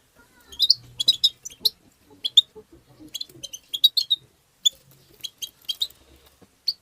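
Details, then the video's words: European goldfinch in a 'tabta' twittering song to stimulate goldfinches: repeated groups of sharp, high tinkling chirps with short pauses between them, and faint low hum and clicks. "تغريد الحسون بتبتة مجنونة"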